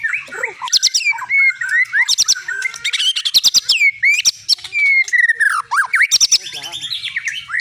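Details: Caged long-tailed Medan shama, winner of many contests, singing dense bursts of sharp clicks mixed with clear downslurred and upswept whistles in quick, irregular succession.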